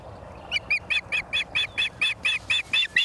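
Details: At a Charlo, Montana nest on 28 September 2023 at 17:45, an osprey gives a fast series of about twelve bright, slightly buzzy whistled chirps, evenly spaced and growing louder, over a light background hiss.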